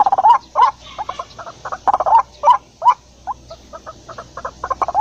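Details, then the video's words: Wild white-breasted waterhen giving a lure call for trapping: loud croaking notes alternating with quicker, softer pulsed series, irregular rhythm, several strong accented syllables. "Suara ruak-ruak suara pikat paling ampuh suara ruak-ruak di alam liar suara pikat burung ruak-ruak"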